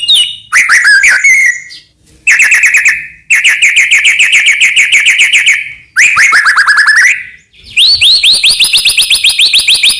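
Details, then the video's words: White-rumped shama from Medan delivering loud song to provoke other shamas: bursts of rapid repeated notes separated by short pauses, some phrases rising and sweeping, others steady rattling trills. "murai batu gacor AMPUH buat PANCINGAN murai batu agar bunyi JADIKAN burung murai gacor EMOSI NYAUT"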